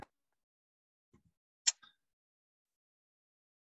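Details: Near silence, broken only by a couple of soft low knocks and one sharp, brief click.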